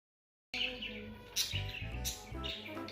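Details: Male budgerigar of a pet pair gives quick, high chirps and warbling chatter, making courtship sounds to attract and approach the female for mating, over background music.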